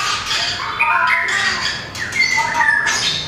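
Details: White-rumped shama, a small long-tailed bird singing in competition style with tail flicking; varied whistled phrases, some sliding and warbled notes near and above mid pitch, with brief harsh bursts between them.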